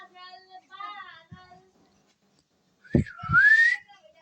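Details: A pet green rose-ringed (ringneck) parakeet, indoors, gives wavering, nasal, talk-like notes, then a loud, sharp whistle that rises steeply near the end, with a few soft knocks and a person talking in Hindi nearby.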